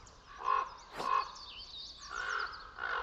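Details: Common ravens give harsh, hoarse calls in short repeated bursts over reindeer carrion, noisy cries that give away the carcass to wolves and bears.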